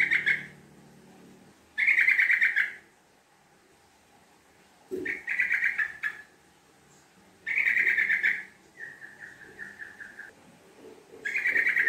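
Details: Sooty-headed bulbul lure song with long chattering 'ngekek' phrases: bursts of harsh chatter about a second long, separated by pauses of one to two seconds, one followed by a quick run of softer repeated notes.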